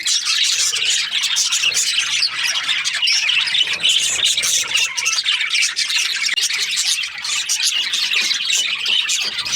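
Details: Budgerigars, called Australian budgies, keep up a busy chorus of overlapping bright chirps and scratchy warbles that never lets up, with sharp squeaks rising above the mass.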